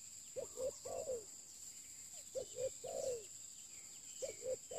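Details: New spotted dove used for luring, giving about three cooing phrases, each a quick pair of notes and a long sliding coo, over a continuous high-pitched hum.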